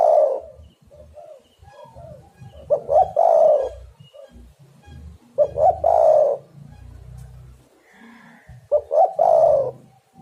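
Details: Spotted dove call used as a lure to trap birds: three loud phrases roughly three seconds apart, each a few quick notes then a long rough coo, with a low rumble and soft cooing in between.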